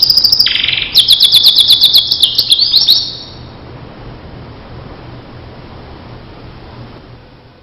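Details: Starblue canary singing on a training recording for teaching other canaries: a loud, high, rapid trill of sharp repeated chirps lasting about three seconds, followed by quiet steady background hiss.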